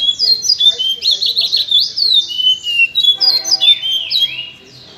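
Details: Chestnut-bellied seed finch, a privately kept bird, singing a fast stream of clear whistled and slurred notes. Some notes sweep sharply up, others down, in quick phrases, with a short pause near three seconds before more falling, sweeping notes.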